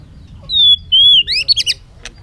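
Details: A bird sings two drawn-out, pure high whistles followed by a quick burst of clipped, jumbled notes.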